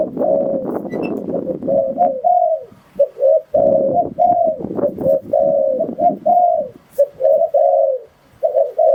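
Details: Spotted dove coos used to call in wild doves for trapping: steady series of mid-pitched coo phrases, short notes leading into longer level coos, partly masked by low rumbling and knocking noises.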